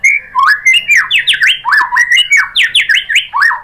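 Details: White-rumped shama provoked into song by a lure, giving loud rapid series of strongly slurred, swooping whistles alternating up and down, with crisp ticks between phrases.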